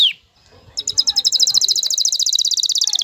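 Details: Excited male canary courting a female to take the mating posture; one sharp downslurred note, a short pause, then a rapid even high trill lasting over two seconds.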